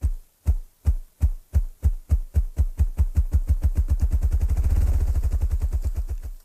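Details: Male ruffed grouse drumming with its wings to attract a mate: deep, muffled wing thumps starting slow, about two per second, then speeding into a rapid whirring roll before stopping; in hardwood and mixed forest.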